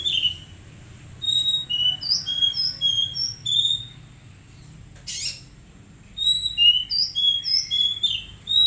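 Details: Magpie-robin under daily care and training, delivering bursts of high whistled and slurred notes in rapid rhythmic series, pausing midway before a brief harsh noise, then resuming lively phrases; steady low hum underneath.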